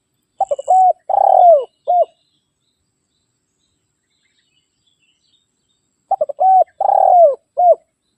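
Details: Spotted dove rival call for luring wild birds: two full phrases about six seconds apart. Each has stuttering short notes, a long vibrating coo falling in pitch and a closing coo, with silence between them.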